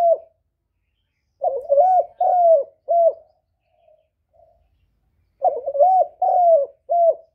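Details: Loud-voiced spotted dove cooing cleanly with no other sounds. Two full phrases, each a rough short note followed by two drawn-out, bowed coos and a brief closing coo. A few soft low murmurs fill the gap between phrases.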